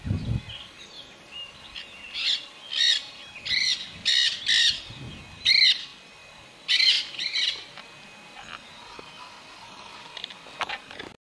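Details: Nanday parakeet (Aratinga nenday) in Río Pilcomayo National Park, Formosa, Argentina, July 2017, giving a run of about ten harsh, grating screeches, roughly two per second, followed by faint distant chatter.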